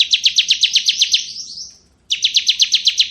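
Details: Ciblek kristal, a bar-winged prinia, singing ngebren style: a fast string of high chipping notes trailing into a thin whistle, then after a short pause a second rapid run.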